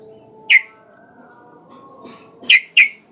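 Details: Sooty-headed bulbul calling to provoke a rival into singing; a single sharp chirp, a pause with faint soft murmurs, then two quick loud chirps close together.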